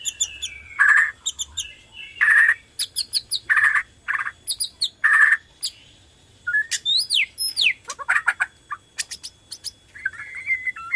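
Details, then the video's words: Energetic song of a Borneo white-rumped shama, used to prompt other shamas into singing: loud phrases repeated about every one and a half seconds, each with a harsh burst, then a faster varied stretch of slurred whistles and sharp chips. "PANCINGAN BORNEO GACOR SANGAT AMPUH UNTUK MERANGSANG BUNYI MURAI BATU LAIN"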